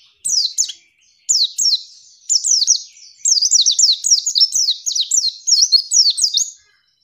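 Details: Female white-eye calling to incite males to answer quickly, as they would in the wild: separated sharp high chirps at first, building into a fast, steady series of squeaky, downward-sweeping notes for several seconds.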